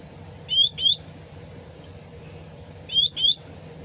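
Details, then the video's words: Sooty-headed bulbul, original voice used as a lure to draw a quick reply: two pairs of sharp, upswept whistled notes, each pair about half a second long, over a steady trickling-water hiss. "PANCINGAN CUCAK RANTING SUARA ASLI DAN GEMERCIK AIR CEPAT NYAUT"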